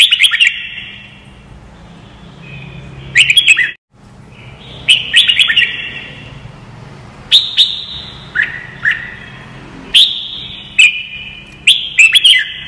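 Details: Training song for young white-cheeked birds: a Red-whiskered bulbul repeats short lively phrases of two to five whistled, slurred notes every couple of seconds, some dropping in pitch, after a brief break in the sound.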